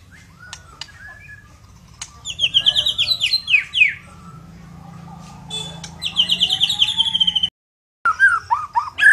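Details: White-rumped shama, Murai Batu Medan type, singing actively: quiet clicks give way to rich, fast high trills and swept whistles in long phrases, a momentary cut, then mixed lower and higher notes resume, over a soft hum.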